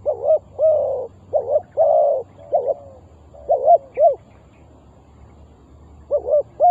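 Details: Spotted dove cooing, a call used to lure wild doves for trapping: short hoarse coo phrases in bouts, with a low background hum.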